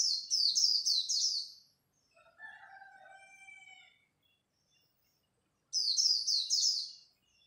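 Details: Competing at dawn, a Japanese white-eye delivers khuyên líu song in two bursts of shrill, quickly falling high notes. Between them is a lower, drawn-out wavering whistle.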